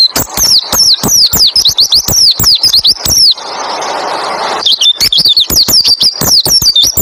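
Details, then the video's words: White-eye singing in the 'roll' and 'tembak ngalas' styles, a tutoring recording meant to make other white-eyes sing along: rapid, high, sweeping chirps tumbling without pause, broken midway by about a second and a half of broad rustling hiss before resuming. "Masteran burung pleci roll tembak ngalas bikin burung pleci lain ikut bunyi nembak ngalas"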